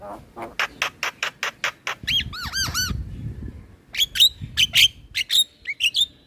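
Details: Male black-winged starling singing as a lure for training birds: a rapid series of harsh repeated bursts, then looping whistled notes, then short sharp upslurred whistles repeated several times.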